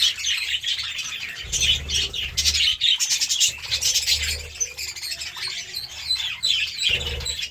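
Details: Pet budgerigars pecking at seeds and vegetables chatter nonstop in bright twittering warbles, with brief louder squawky bursts and short gaps, and a low droning hum throughout.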